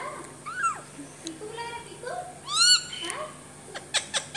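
An Alexandrine parakeet chatters in a high, nasal voice, with rising and falling speech-like phrases.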